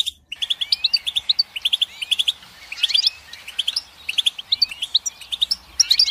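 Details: Lively goldfinch song made of fast, bright twittering phrases. Upward-sweeping whistles mix with chattering trills in quick bursts, over a quiet background.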